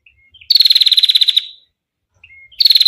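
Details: Female bar-winged prinia's 'ngetir' call, suited for training other songbirds: a quick rattling trill of about a second that tails off, a faint short note, then another trill begins.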